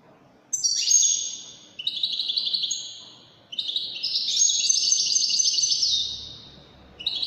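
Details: European goldfinch in Widani song style, giving repeated high twittering phrases of bright trills and slurred notes, with one long sustained burst in the middle and short breaks between phrases.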